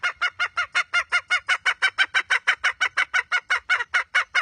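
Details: Steady series of loud, hoarse clucking notes from a red junglefowl hen, about three per second and evenly spaced throughout, each note rich and raspy with no other sounds.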